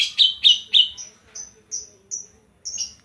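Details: Banyuwangi greater green leafbird singing a kapas tembak fill: three loud descending whistled notes, then a row of thinner, higher, evenly spaced whistles, each slurred slightly downward.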